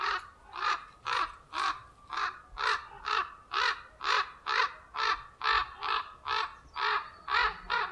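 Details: Common ravens defending the nest: a rapid, steady run of about sixteen hoarse, barking croaks, roughly two per second, with no other clear sounds.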